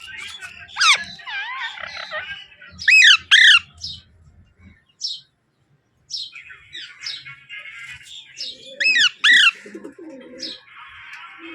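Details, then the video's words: A young (baby) Alexandrine parakeet gives loud, harsh, rising squawks, mostly in pairs a few seconds apart, with softer chattering and faint background noise between. "Alexander Baby Parrot Sound"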